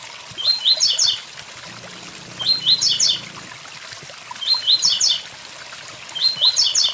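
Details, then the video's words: Blue-black grassquit song of the "tui tui zel zel" type, set against waterfall sound. Bright rising notes run into a dense burst, repeated about every two seconds, with a row of tiny high ticks and continuous rushing water. "Tiziu tui tui zel zel com som de cachoeira"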